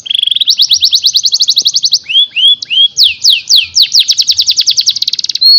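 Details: Canary song used as a master recording for training young caged canaries: rapid trills of repeated notes near 4–6k, broken by a few slurred, rising whistles, then fast rolling trills again, loud and continuous.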